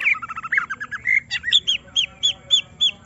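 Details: Agitated greater green leafbird, set near a rival to draw out its song, opens with a rapid warbling run, then repeats bright upslurred notes evenly, about three per second.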